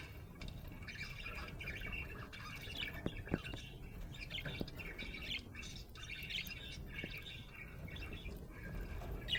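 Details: Budgerigar said to be happy chatters continuously with mid-high warbling, squawky notes and chirps, a busy rambling flow with brief clicks, over a constant low background rumble.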